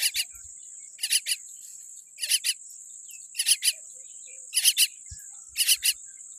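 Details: Baby common myna, tiny and born with a weak beak, repeats short rasping triple bursts about once a second while a thin, constant high whine runs underneath.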